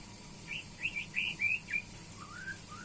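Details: White-rumped shama during pairing, a bird being matched with a mate, delivering a short series of clear whistled notes, some rising and some slurred, followed by softer descending whistles over a steady background hiss.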